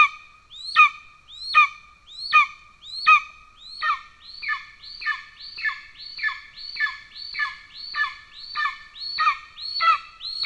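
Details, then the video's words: Golden eagle calling at the nest in Estonia on 17 July 2024 while the male delivers a pigeon. Sharp upslurred then falling squeals repeat in a long run, speeding up toward the end to roughly one every half second. "Kaljukotkas 2 : Golden Eagle- Orzeł przedni"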